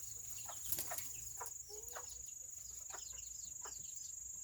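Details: Serama chickens, the world's smallest chickens, on a rainy Saturday: short soft clucking notes scattered through the clip amid the patter of rain and a steady thin high whine.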